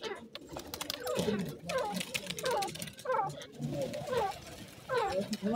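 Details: A pair of francolins, locally called teetar, in the wild during courtship. Short, up-slurred chirping notes repeat in bursts roughly every half second to second, over a low background rumble.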